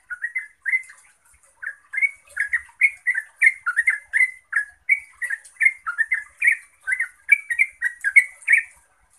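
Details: Yellow-vented bulbul in a sustained outpouring of song meant to provoke other bulbuls into answering: lively, gurgling whistled phrases repeated almost nonstop, each rising and dipping, with a thin high chittering layer throughout.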